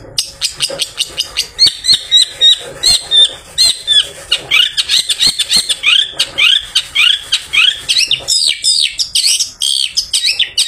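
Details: Long-tailed shrike, a caged bird just after bathing, singing in the afternoon to lure other shrikes; rapid run of sharp notes, downslurred chirps and harsh chatter, phrases packed tightly with brief gaps throughout.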